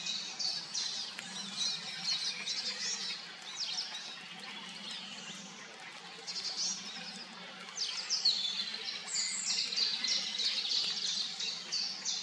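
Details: A pair of Eurasian siskins feeding on small black insects at a pond edge on a dark, foggy early morning give high, thin twittering and squeaky calls overlapping in quick bursts about three a second, over a low hum.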